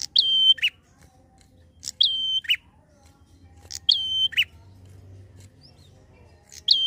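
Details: Prinia, a strong singer, delivering its quick long-drawn 'ngalun' song to provoke untrained birds. Four phrases come at steady intervals, each a flat ringing whistle framed by a crisp opening tick and a gritty closing note.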